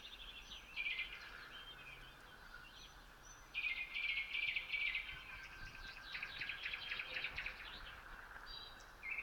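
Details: Pre-dawn common nightingale song, 3 a.m., 27 May 2018, Voskresensk district, Moscow region, Russia: bursts of rapid trills and sharp repeated notes separated by short pauses, with other birds calling softly behind.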